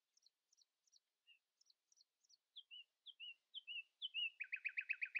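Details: Nightingale, also called the Xinjiang robin, singing early in the morning to stay louder than rivals: repeated paired high chirps, then falling slurred notes growing louder, ending in a fast, throbbing rattle.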